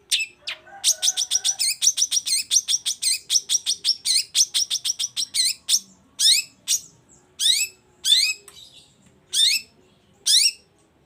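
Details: Long-tailed shrike singing hard to goad silent shrikes into answering: a rapid rattling string of harsh chattering notes, slowing into separate loud grating calls spaced roughly one second apart.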